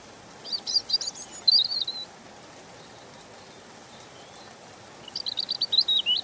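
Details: European robin singing: a high, thin, varied phrase of quick twittering notes and a brief whistle, a long pause, then a second tumbling trilled phrase, over steady soft hiss.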